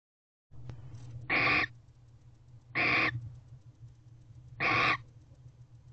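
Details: A female barn owl in a nest box at 5:13 am on 8 November 2023, alert to something outside, gives three harsh, hissing screeches, each under half a second, about 1.5 seconds apart, over a low electrical hum.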